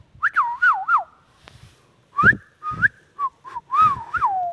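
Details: Pet Indian ringneck parakeet giving rising and wobbling whistled phrases, each lasting about a second, separated by short gaps, with a few brief low rough sounds mixed in.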